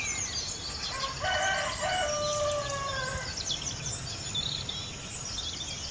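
A rooster gives one harmonic crow, rising then drawn out and falling over about two seconds, against a constant hiss of background noise and faint bird chirps.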